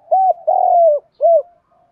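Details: Spotted dove coos used to stimulate birds in training, male and female birds: three loud arched mid-pitched coo notes, the middle one longest, followed by a faint trailing note.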